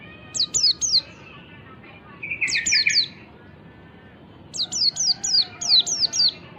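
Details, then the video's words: White-eye ngalas-style song meant to coax quiet white-eyes into singing: three groups of high, descending whistled notes, one opening with a buzzy lower trill, the last a run of seven notes. "pancingan pleci ngalas memancing bunyi pleci"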